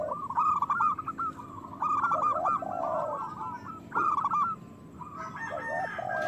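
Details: Song of local zebra doves used as a lure to trigger breeding and singing: bursts of loud, rough, stuttering coos in clusters, separated by brief pauses, lower sliding coos between.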